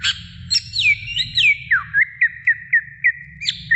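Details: Energetic greater green leafbird song for training: sweeping whistles fall into a chain of short, curling notes repeated roughly four times a second, over a constant low hum.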